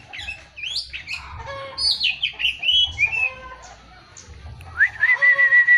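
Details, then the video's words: Oriental magpie-robin song of varied slurred whistles dropping in pitch, then a pause and a long, steady, sweet whistle rising at its start. "Burung kacer FULL MATERIAL"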